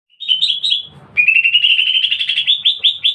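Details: Greater green leafbird (cucak ijo) in full song, delivered in an agile, aggressive fighting style: high bright whistled phrases for the first second, a short gap, then a fast rolling run of repeated slurred notes edging slightly upward, loud and clear with little background.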